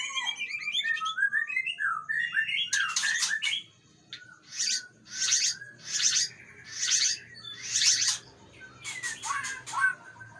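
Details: Aceh white-rumped shama: quick twittering whistles, then a series of loud harsh bursts about once a second, separated by brief quiet gaps.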